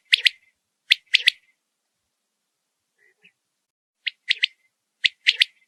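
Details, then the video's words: A quail gives sharp, high, clipped notes in quick pairs and triplets, repeated in short bursts about once a second with brief pauses. "Learn the sound of a quail bird"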